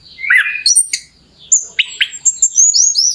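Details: Actively singing orange-headed thrush, a lure recording to raise another thrush's urge to sing; a burst of warbled notes, a brief pause, then sharp clicking notes and fast, high upslurred whistles.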